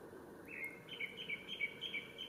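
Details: A male Japanese Thrush sings on 3 May 2017 at Ōbora spring by Lake Yamanaka, Japan. After a rising slurred note comes a rapid string of repeated clear whistled notes, evenly spaced, over quiet ambience.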